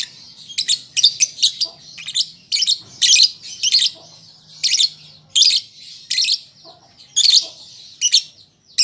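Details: Juvenile lovebird learning its song, producing evenly spaced, loud squeaky chirps about every half second, some in quick doublets, against a thin high background chatter.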